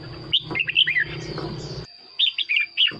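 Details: Caged red-whiskered bulbul singing, played to excite other caged birds or for use as a decoy: short bright whistled phrases, rising then falling, in two bursts separated by a pause, over a steady high electronic tone.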